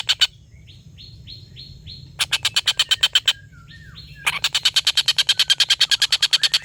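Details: Collared kingfisher giving its long laughing call, a master recording for tutoring competition songbirds: fast runs of harsh, evenly spaced kek notes, about four per second, broken by a quieter bird's short whistled, upslurred notes.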